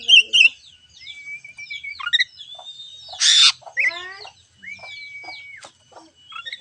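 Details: Oriental magpie-robin singing to prompt a silent bird: long, level whistled notes, a loud harsh rasp in the middle, a descending laddered series and scattered bright chirps.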